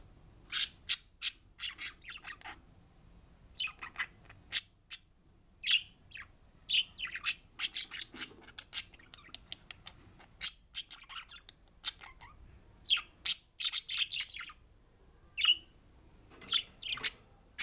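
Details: Budgerigars, one pair including a recessive pied, chirp and chatter as if telling a story. The quick, scratchy bursts of high notes tumble over one another.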